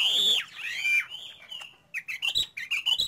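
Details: Chinese hwamei from bird fanciers' collection, giving a loud, harsh slurred note and drawn-out whistles, then a string of short, abrupt chirps delivered in quick, uneven succession.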